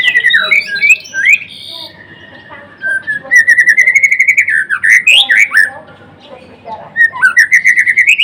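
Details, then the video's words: Murai batu of the blorok type singing lively: tumbling whistled phrases, then a long rapidly pulsed rising trill, sharp chattering accents and another fast rising trill. "Kicauan MURAI BATU GACOR (Murai Blorok gacor)"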